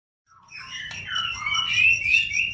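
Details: Green leafbird (cucak ijo) tutor song meant to get young birds singing: softer, jumbled chirps and thin high whistles building in loudness after a quiet start, with a low hum underneath.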